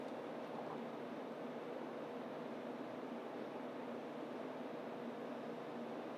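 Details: Steady broadband hiss and rumble fills the whole recording, with no animal voice standing out.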